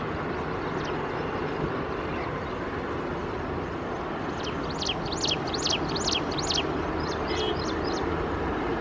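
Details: An ashy prinia calls with a rapid series of sharp, high, chirping notes in the second half, over a steady rumble of passing traffic or a train.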